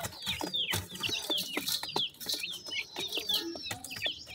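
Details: Young black partridge chicks give rapid thin peeps, each sliding downward. Frequent sharp taps and rustles accompany them.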